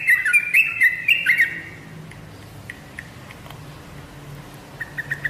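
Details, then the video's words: Yellow-vented bulbul lure song meant to prompt caged birds to reply: under two seconds of quick chattering whistled phrases, then near silence with a few faint distant notes. "BURUNG TRUCUKAN ANDA PASTI LANGSUNG NYAUT DENGAN SUARA PANCINGAN INI"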